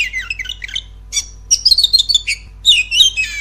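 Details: Loud, rapid song of an Oriental magpie-robin, used to provoke a kept bird into bolder singing; chattering strings of high sweet notes mixed with harsh squeaks, in three quick bursts over a faint low hum.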